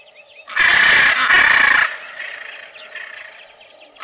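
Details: Macaw giving one long, loud, harsh raucous squawk of just over a second, briefly broken midway, followed by faint softer calls in the background.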